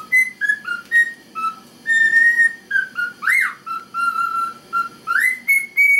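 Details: Pet male cockatiel performing the Chocobo theme tune for a female who ignores him while eating and drinking. Pure whistled notes hop between pitches in a steady melody, broken by two quick rising squeals, over a soft low hum.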